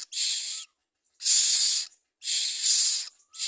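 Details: Common myna bringing food to its young: loud, harsh, hissing rasps about half a second long, repeated roughly once a second, with a faint thin whistled note between bursts.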